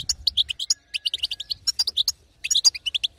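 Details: Female European goldfinch giving batbata to excite a silent male: crisp high chirps in quick succession, loose clusters with short breaks.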